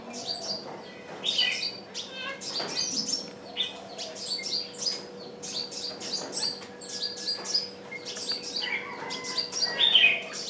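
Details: Calling decoy bird used to lure wild birds that refuse to approach; continuous chatter of short, high, sharp chirps in irregular bursts, with a low steady hum in the background.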